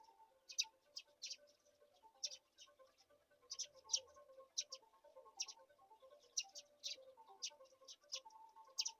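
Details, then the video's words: Black-shouldered kite chicks being fed a mouse give high, thin squeaky begging chirps in scattered single and paired notes, with a soft low droning background throughout. "Black-shouldered kite Baby Birds take all the wings on a mouse"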